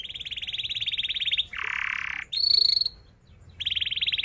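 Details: Canary song for teaching young canaries, a long fast high trill, a harsh buzzy lower rattle, a steady whistled tone, a pause, then the rapid trill returns.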